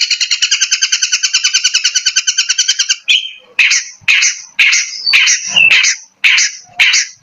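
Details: Long-tailed shrike, called cendet or pentet, from East Java, singing a provocateur-style song: about three seconds of rapid, evenly pulsed two-tone chatter, then a series of harsh, separate, downslurred notes with brief gaps between them.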